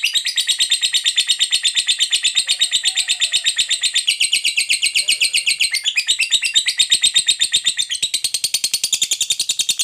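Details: Long ngekek panjang chatter of a lovebird, played to provoke other lovebirds into singing: an unbroken, fast rattle of high, harsh notes lasting nearly ten seconds, shifting slightly in tone partway through.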